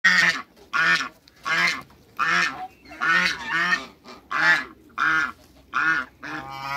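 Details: Domestic African geese, two males and one female, in a backyard: loud, harsh, nasal honks repeated about every 0.8 seconds in a steady series of eight calls, with brief quiet gaps between.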